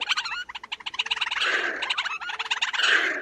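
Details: Wheezy, bubbling chatter of a Black Crake, a rail with red eyes and pink-red legs: continuous rapid rattling trills and nasal squeaks, growing louder and fuller toward the end, with no other sounds.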